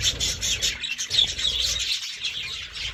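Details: Budgerigar chattering, likely in a cage: dense, continuous warbling and squeaky chirps, high and busy, with rapid trills running through the whole stretch and a low rumble underneath.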